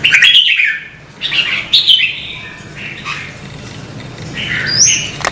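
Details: Red-whiskered bulbul, stimulated to sing, opens with a loud warbled phrase, adds further chattering phrases and ends on a high thin whistle, with a faint low hum throughout.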